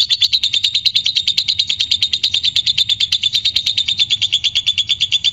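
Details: Fighter lovebird in long ngekek chatter, played to stir courtship mood and singing; a steady, rapid, high-pitched rattling trill with evenly spaced pulses, about three per second, continuing throughout without pause.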